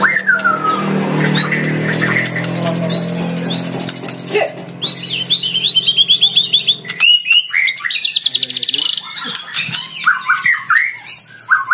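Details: Lure song from a fighter white-rumped shama challenging a rival: varied whistles over a low droning hum, then a fast series of sharp rising notes and a dense high trill.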